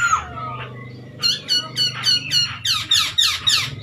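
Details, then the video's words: Chinese hwamei, played to excite other pet birds into singing; a few soft whistles give way to a quick, repeated series of sharp descending notes, around three or four per second. "OCEHAN Poksay Hongkong Gacor Efektif Bikin Burung Kesayangan Bos q Ikut Emosi"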